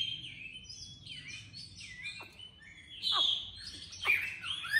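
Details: Captive hwamei in Hanoi, tame and newly arrived, with a hard, sharp voice, singing loud, varied whistled phrases with sliding notes and sharp downward-swept accents in a continuous rich medley; Chinese hwamei.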